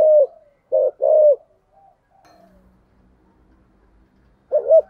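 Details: Spotted dove kept as a decoy, cooing in the 'giọng thổ' voice with 'thúc' and 'gù' calls: a brief coo, then a husky two-note phrase, a quiet pause with faint low hum, and another coo at the end.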